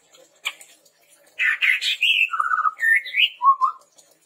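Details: A few soft clicks, then a dense run of bright high whistled notes, a low fluttering trill, a rising high whistle and a closing low double note from a lively chestnut-rumped babbler recorded to lure and train birds.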